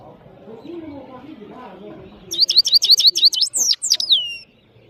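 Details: European goldfinch, called saira in Parachinar, singing powerfully: after low background noise, a quick series of bright rising chirps ends in a long drawn descending whistle.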